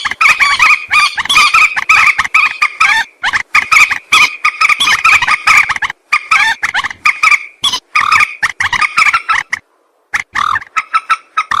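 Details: Common moorhen hunting lure sound: a long, busy sequence of harsh, clucking squawks in tight clusters, broken by a clear silent gap near the end before calling resumes.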